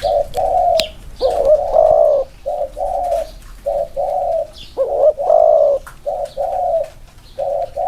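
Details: Inner-circle cooing from a pair of spotted doves placed together for comparison. Mellow coos in short blocks are mixed with sudden lurching, bending notes. A few sharp clicks and distant chirps are also audible.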